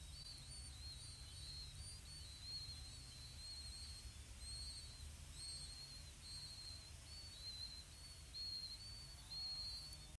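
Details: Begging from five blue-winged pitta nestlings, four days old, while parents feed them earthworms. Thin, high, slightly wavering whistles repeat about once per second throughout, some overlapping, above a constant low background hum.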